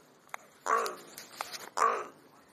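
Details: Crows talking among themselves: two softer, husky caws about a second apart, mixed with small clicks and taps.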